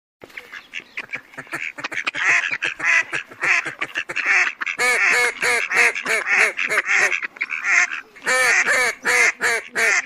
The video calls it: صوت البط الخضارى,,Mallard